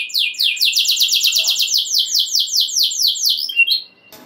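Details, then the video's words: Canary singing to rouse other canaries: a bright, fast, even trill of repeated high slurred notes for about three and a half seconds, ending in a brief twitter and faint noise. "Kenari Gacor Ngeroll Nembak Joss! Buat Naikin Emosi Kenari Lain Biar Gacor Ngedur Ngerek"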